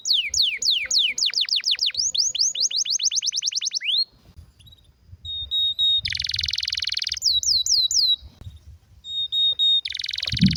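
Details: Canary with a rare, strong song. A long run of steep, rapid downward sweeps is followed by a near-silent pause with low background rumble, then buzzy trills, slurs and thin level whistles.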